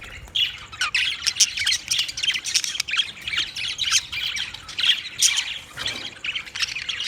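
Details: Budgies chattering nonstop, a busy mix of harsh squawks, short chirps and warbled notes, steady in level with many overlapping calls and no other clear sounds.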